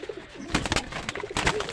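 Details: A female domestic pigeon held in hand at a loft gives soft, low cooing notes amid rustling and handling noises indoors.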